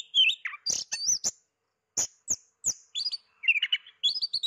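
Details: Oriental magpie-robin singing while hidden from view, very vocal; clear whistled and slurred phrases with sharp high notes, short trills and brief pauses between bursts.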